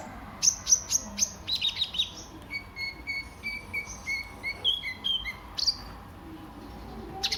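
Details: Sunbird (kolibri ninja) singing as a lure to make other birds sing: a few high chips, then a run of clear, tonal whistled notes that step up and down, ending in a sharp high chirp.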